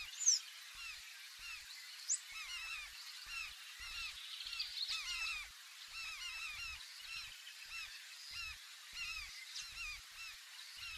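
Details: A dense chorus of large-billed terns gives harsh, nasal, goose-like honks that overlap constantly from many birds. It was recorded from inside a canoe swinging with the waves, with soft low knocks of water underneath.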